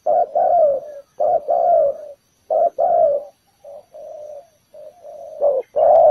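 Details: Ground-bait spotted dove calling at a trap meant to lure other doves, giving mid-pitched paired coos, a brief note followed by a drawn-out one, with short gaps and softer coos between.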